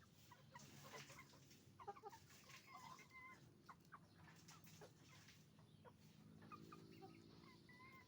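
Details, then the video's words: Hens and roosters at a chicken farm, heard as a quieter busy chorus of scattered clucks and short squawks from many birds, with a low hum and some clicking noises. "Moment of the sound of a chicken farm, roosters and hens making noise"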